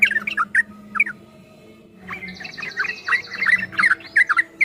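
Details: Yellow-vented bulbul in a long 'ropel' song: scattered gurgling notes, then a dense run of rapid bubbling phrases over a faint low hum.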